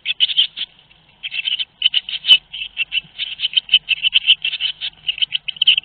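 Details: Eurasian blue tits at a nest on 22 May 2021 in Théding, France, with both parents busy: a steady, high, buzzy chatter of short bursts, several per second, with one sharp knock near the middle.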